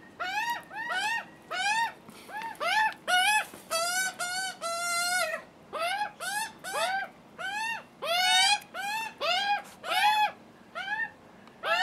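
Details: Screaming hungry juvenile Australian magpies begging for food on a first visit alongside the cautious adult male; rapid series of loud, harsh, arched harmonic squawks, several overlapping callers, nearly continuous over twelve seconds.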